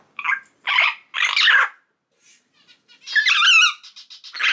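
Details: Young pet common hill myna at three months, not yet talking and of unknown sex, uttering loud, rough squawks in quick bursts with a brief silence mid-way.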